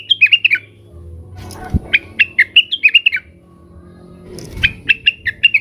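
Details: Blue-winged leafbird, stirred up and calling rivals: three runs of rapid bright chirps separated by pauses, with low knocks and rustles between them.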